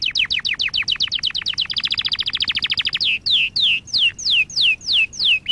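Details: Canary song for training young canaries: quick falling chirps repeated about four per second, a tight fast high trill, then slower slurred downward whistles, each dipping and levelling off.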